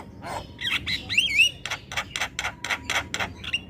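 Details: Javan myna singing persistently, a tutor recording meant to set other birds calling. A low croak, then twisting whistled slurs, followed by a rapid string of harsh, grating pulses about four a second.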